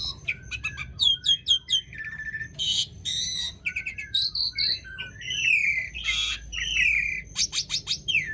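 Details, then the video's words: Asian pied starling in rolling 'gacor' song, a lure for starlings that have stopped singing. Dense mix of quick chirps, buzzy notes, high clear whistles and sliding warbles, almost unbroken. "Jalak Suren Gacor Dor Ngerol Panjang Ampuh Buat Pancingan Jalak Macet Agar Bunyi"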